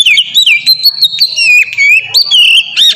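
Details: Oriental magpie-robin singing in the loose, melodic ngeplong style, used as a lure to get other magpie-robins singing: a steady run of clear, high whistled notes. The phrases slide up and down, with quick trills and sharp chips between them.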